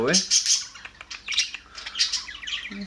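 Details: Budgerigars, including babies, chattering while bonding with their flock: quick high chirps and scratchy warbles, with a little human speech.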